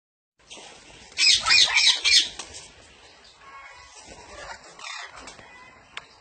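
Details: Parrot giving a loud, harsh burst of grating squawks lasting about a second, followed by quieter raspy chatter and soft background noise.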